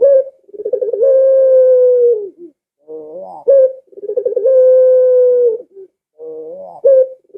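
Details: Barbary dove calls meant to coax domestic doves into calling; repeated phrases about every three seconds, each with a throbbing rolled start swelling into a long flat hoot that drops off, followed by a quieter coo and upward flick.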